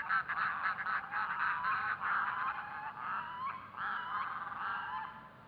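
Red-throated loon giving a rapid, harsh, goose-like cackle of about four notes a second, with a few drawn-out nasal wails near the end.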